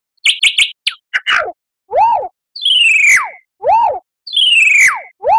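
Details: Lyrebird song as a model for cage birds to learn: a few quick chips, then loud arched whistles alternating with long falling slurred whistles, each about a second apart.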